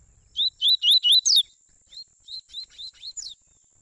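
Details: Warm-up song from a double-collared seedeater father and son, aimed at black and brown seedeaters: a fast burst of five bright slurred whistles with high sparkling overtones, then a looser run of quieter, evenly spaced notes over a faint continuous high tone.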